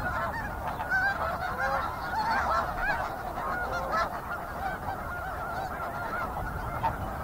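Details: Calling snow geese in a flock, dense layered honks, a few clear nasal notes near the start and middle, the chorus easing slightly later.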